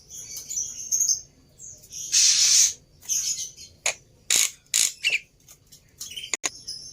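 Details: Lure song of a Black-winged myna, played to make a silent bird sing: high thin whistles broken by loud, grating, hissing bursts and sharp clicks.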